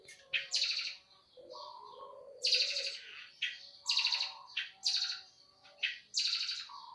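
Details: Eurasian tree sparrows fighting, used as training audio for kept birds: loud bursts of harsh, buzzy chirps in quick clusters, with a few lower sliding tones between them.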